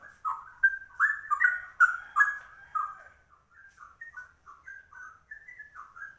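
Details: Trucuk, the yellow-vented bulbul, here rare and singing a ropel like a straw-headed bulbul: a loud cluster of warbled, slurred whistles at the start, fading into softer, more widely spaced single notes.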